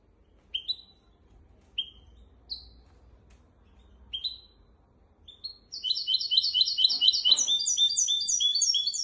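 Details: Goldfinch x canary hybrid singing, used as a tutor for goldfinches and canaries: spaced, sharp upslurred chirps, then a dense, loud, rapid run of repeated high twittering notes filling the last few seconds.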